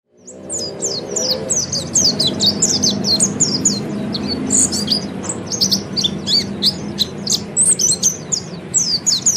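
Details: Oriental white-eye training song used to get other birds singing: dense run of high, thin chirps and quick twittering notes, continuous for about nine seconds, over a low steady hum.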